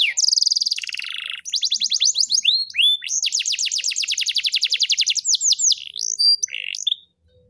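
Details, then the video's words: Caged-style canary song from Rembang, Indonesia, opening with a harsh high buzz, then rapid rhythmic trills of identical notes, upward and downward slurs, and a long even rattle before stopping abruptly. "KENARI MEWAH.. LAGU GAYA VOLUME DURASI MANTAP!"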